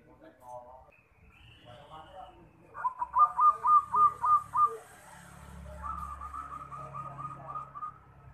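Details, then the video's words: Zebra dove, a prized local competition bird being used to train a young bird, gives a burst of about seven quick, evenly spaced cooing notes. A longer rolling trill follows, with faint murmuring and low rumble behind. "PERKUTUT JUARA Suara TERBAIK!!!"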